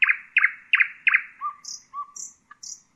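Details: Four loud, harsh descending notes in quick succession, then soft low whistles alternating with high thin notes, from a singing common nightingale.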